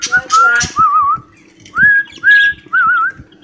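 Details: Pet cockatiel whistling an imitated song tune, "Johny Yess Papa", offered as a master recording for training tame birds. Clear mid-pitched whistled notes, some wavering in a quick trill, others held and gliding upward, with low taps and a faint steady hum beneath.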